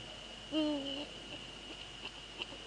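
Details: At night near a Dutch nest, a male Eurasian eagle-owl visits a female, February 2013, 04:40; a single brief quavering call that dips and levels, set against a constant high-pitched tone and soft clicks.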